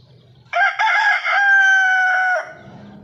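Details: Golden misri chicken giving a single loud crow lasting about two seconds, opening with a broken, stuttering start and then holding a long, steady drawn-out note before cutting off; quiet background otherwise.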